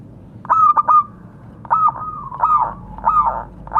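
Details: Local, vocal zebra dove calling to its fellows, used as a lure. A stuttering burst of three clipped coos, then a pause, then a run of rolling, slightly buzzy coo notes. Quiet hum behind.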